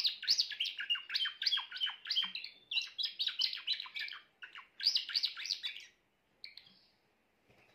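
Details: Song of a grey Timbrado canary: fast bubbling phrases of repeated downward-swept chirps, several rolls separated by short pauses, ending with a brief call and then quiet.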